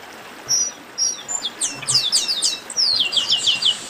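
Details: Warm-up esquenta song of a Chestnut-capped blackbird: two sharp high whistled slurs, then a steady stream of hooked descending notes repeated rapidly for about two seconds.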